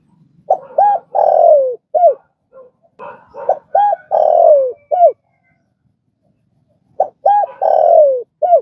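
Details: A spotted dove repeats its cooing phrase three times, as training audio for freshly caught doves: quick paired coos, a long falling coo and a short final note, with a gap of silence before the last phrase.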